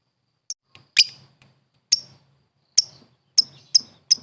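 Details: World-champion competition lovebird giving sharp, high, down-slurred chips at uneven intervals, coming closer together toward the end, over a faint low hum.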